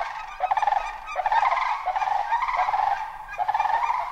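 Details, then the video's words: Continuous, overlapping rolling calls of a sandhill crane, resonant rattling notes repeated with short dips in loudness, against a faint background hiss. "Sandhill Crane Vocalizations"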